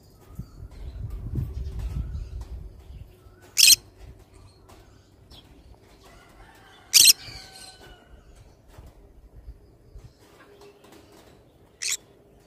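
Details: Pineapple green-cheeked conure kept as a pet, wing flutter and rustling early on, then three abrupt harsh screeches several seconds apart, with a few softer notes in between.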